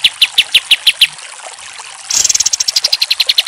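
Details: A pied triller song used as a tutor recording: a run of high, even chirps about five per second, a brief pause, then a faster, brighter burst of high repeated notes.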